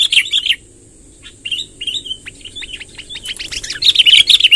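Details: Sooty-headed bulbul rolling song for luring wild bulbuls: an opening burst of bright chirps, a brief silence, then spaced slurred whistles building into a loud bubbling run at the end, thin steady hum throughout.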